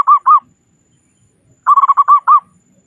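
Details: Local Indonesian zebra dove with a big voice, sung to prompt other doves to sing: two short rounded coos, a pause, then a quick string of about seven clipped low notes.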